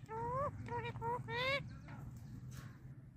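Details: Indian ringneck parakeet kept as a pet, chattering nonstop. Four wavy, rising, voice-like syllables in quick succession, then quieter mumbling over low background hum.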